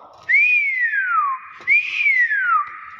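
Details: Nias hill myna giving two loud, clear whistles, each rising sharply and then sliding down in a long falling sweep, about a second apiece with a short pause between.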